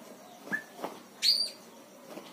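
A Siamese fireback gives one sharp, high, squealing whistle lasting about a quarter second, preceded by two soft clicks in an otherwise quiet background.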